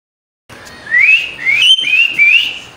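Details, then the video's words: Captive Indian ringneck parakeet giving a run of four clear, rising whistled notes in quick succession, each sliding upward, with faint room noise. "Indian ringneck talking and natural sound"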